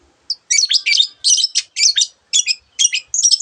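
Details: Long-tailed shrike singing a varied masteran song full of mimicked bird phrases: short buzzy, harsh bursts high in pitch, delivered in quick clusters with brief gaps, ending in a rattling trill.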